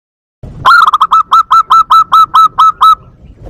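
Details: Zebra dove call used as a lure and to stimulate breeding: a clear run of about ten quick, evenly spaced cooing notes, each starting with a short upward flick. The notes are loud, with quiet background.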